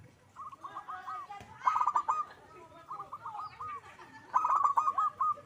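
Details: Zebra dove singing actively: softer trailing coo sequences alternate with two louder phrases of fast, tumbling rounded notes, all at a steady mid pitch.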